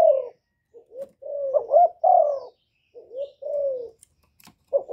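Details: Spotted dove cooing, recorded live to stimulate caged doves. Soft broken coos rise into a louder double note and a drawn-out falling coo. Quieter hoots follow with gaps, and a few clicks are heard near the end.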